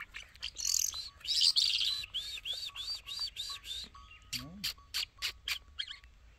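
Rapid, bright song: buzzy bursts, then a fast string of repeated arched whistles, ending in sharp clicking notes. Background is quiet.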